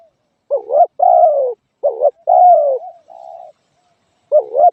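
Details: A spotted dove repeats its coo: a short wavering note, then a sustained falling one. A softer, flatter trailing note follows partway through.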